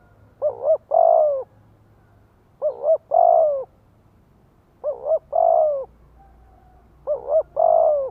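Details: Decoy spotted dove singing to provoke wild doves into calling back. Four low cooing phrases, roughly every two seconds, each with two quick notes followed by a longer wavering, slightly falling coo. A faint low hum runs underneath.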